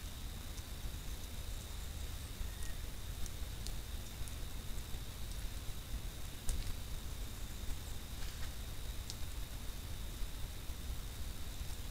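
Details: Low rumbling background noise with a steady thin high whine and a few faint ticks, with no animal voice to be heard.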